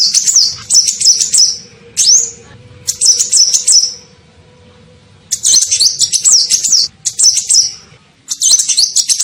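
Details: Sunbird lure call to bring birds closer: bursts of shrill rapid twitters and a lone rising chirp, phrases under a second long separated by brief pauses, faint steady low tone underneath.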